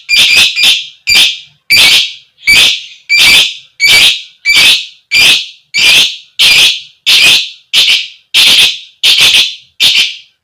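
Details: Female fighter lovebird giving 'koek koek' calls, used as a lure to set other lovebirds singing: about sixteen loud, harsh, buzzy squawks, each short and rasping, repeated steadily roughly every two-thirds of a second with clear gaps between.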